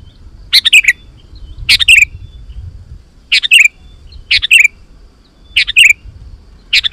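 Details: Sooty-headed bulbul in full song, played to provoke wild bulbuls to reply: six short phrases of sharp chirps that slide downward, repeated at irregular intervals of about one second, over quiet low background noise.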